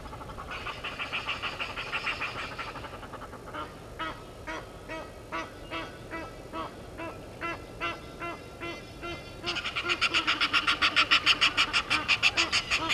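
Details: Egyptian geese in a dispute with intruder geese at a game reserve waterhole, Sabi Sand, South Africa, 17:08, 10/04/21: a noisy chorus, then evenly spaced harsh honks about every half second, ending in a loud burst of frantic calling.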